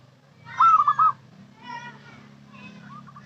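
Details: Local zebra dove calling as a lure: a loud rolling trill of three quick notes, a fainter rough phrase, then soft coos, over a steady low hum.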